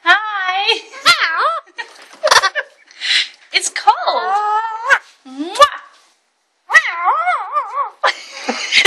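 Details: Male pet Alexandrine parakeet chatting at bedtime before his enclosure is covered, showing off learned speech: short rasping bursts with speech-like rising and falling phrases while a person talks softly nearby.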